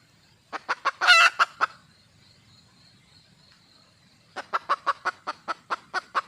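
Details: Red junglefowl hen calling for a mate: a quick run of sharp clucks peaking in a loud, drawn-out squawk, a long pause, then another even series of about ten clucks.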